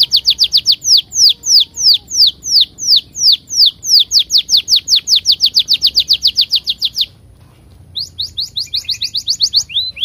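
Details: Canary lure song aimed at setting off other canaries: a loud, rapid train of descending high whistles for seven seconds, a brief pause, then a quicker run of rising notes.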